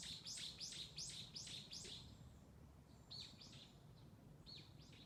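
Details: Bird twittering: quick series of high, sharply descending chirps in bursts, several notes per second, then fainter scattered chirps, over a steady low background rumble.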